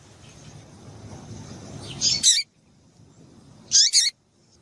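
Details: Female double-collared seedeater's call meant to stimulate males: two bursts of paired high, bright chirps about a second and a half apart, preceded by a steady low background hum.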